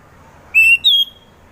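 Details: Orange-headed thrush song used as a lure to prompt other birds to sing: two clear whistled notes, a steady one near the middle pitch followed by a higher one that slides slightly down, over a quiet background.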